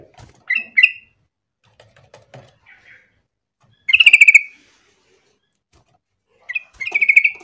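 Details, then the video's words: Lure singing of a yellow-vented bulbul to set others calling: short chirps, soft clicks and rustles, then a dense rapid pulsed burst, and later another run of quick throbbing notes. "pancingan trucuk gacor biar trucukan lain ikutan bunyi"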